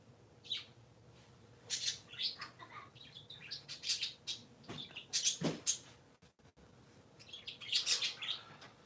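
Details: Three silly pet parakeets chatter indoors on a Sunday morning: scattered high chirps, squeaks and short warbled notes come irregularly, with a couple of soft clicks near the middle.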